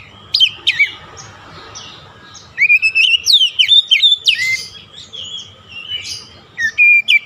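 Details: Oriental magpie-robin song used to make a stressed, silent bird sing again: a few scattered whistles, then a dense run of rapid whistled and buzzy notes, and two final clear whistles.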